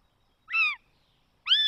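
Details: Northern goshawk chick, the third in a nest in the Netherlands, filmed 20 June 2020, begging with two thin, whining, slightly falling squeals about a second apart; nothing else is heard.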